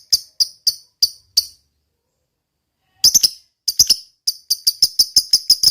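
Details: Lovebird of fighter type giving separate sharp, squeaky chips, five spaced notes, a long silence, then a quicker, tighter run of shrill notes at the end.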